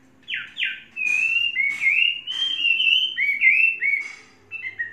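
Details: Caged Chinese hwamei, a tame bird of three seasons, singing a rich run of loud whistled phrases, some sliding down, others held and warbling, with short pauses between groups.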